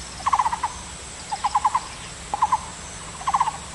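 Taiwan barbet singing quick bursts of four to six low, hollow notes, the bursts coming about once a second against faint background hiss.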